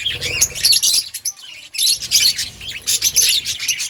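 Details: Outdoor colony of budgerigars: busy high chirping and chattering from many birds, with a brief lull before the chorus swells again.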